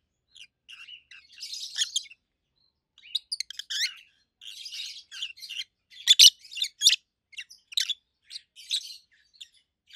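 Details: Two adult pet rosy-faced lovebirds, a red-head green opaline and a white-head pallid aqua opaline, chirp loudly in a small room: bursts of harsh, high, buzzy chirps in irregular clusters, some sharp and loud.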